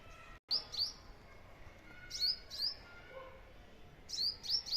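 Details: A sparrow in a garden, perched on a drumstick pod, gives bright, high chirps in quick clusters of two or three, repeating about every two seconds, over faint background birdsong.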